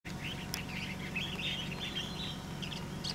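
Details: Two Collared Finchbills sing and wing-dance on stems on Da-shue Mountain, Taichung, Taiwan, on 7 April 2016, a busy, bubbling stream of short chirps and warbled notes, mid-high and nearly continuous, over a steady low mechanical hum.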